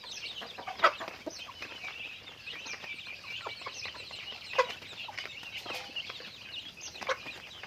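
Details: Chickens going about their daily activity: scattered short clucks rising out of a dense, continuous high chatter of many birds, with a few louder sharp notes near the start, middle and end.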